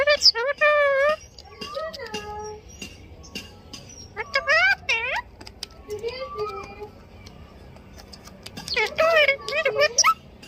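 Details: Parrot calling mummy in short bursts of high, wavering speech-like syllables with stacked overtones, three clusters separated by quiet pauses, indoors.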